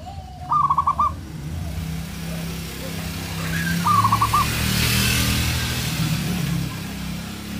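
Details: Vocal local zebra dove calling to stir up rivals: a rolling series of hollow coos, then a second, fainter run about three seconds later. Heavy low traffic-like rumble and hiss behind.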